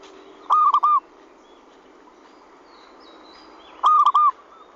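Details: Zebra dove lure call: two short, identical phrases of quick, mellow coos about three seconds apart, with a steady low hiss and faint distant chirps.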